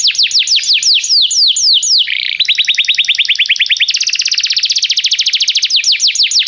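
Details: Canary song for training: slower falling whistled notes give way to a lower rapid trill, then a higher, faster rolling trill, before returning to the broader swooping notes.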